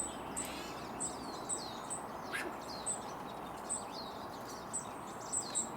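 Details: Courtship song of a hummingbird perched in a tree, Sierra foothills, California: tiny, very high, sharp ticking squeaks repeated roughly every half second, with fainter lower chirps between them and a soft background hiss.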